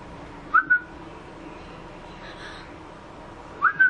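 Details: Oriental magpie-robin (doyel) chicks a few days old give pairs of short, clear, rising whistles, one pair, a three-second pause, then another, over quiet background hiss.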